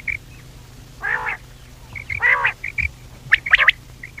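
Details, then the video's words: Common quail calls for hunting at night: a few broad nasal notes spaced about a second apart, a pair of bright clicks near the end, and low steady hum underneath. "quail voice for hunting | Batair ki awaz Raat | common quail voice"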